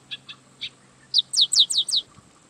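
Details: Yellow-winged blackbird singing: three soft spaced notes followed by a rapid burst of five loud, steeply falling slurred whistles, with nothing else audible.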